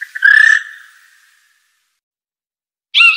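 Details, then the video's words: Blue jay, a wild bird of eastern North America, giving one loud, clear note that falls slightly and has strong overtones, lasting about half a second. After a long silence, a second bright, harsh note starts at the end. "Blue Jay.Bird Song."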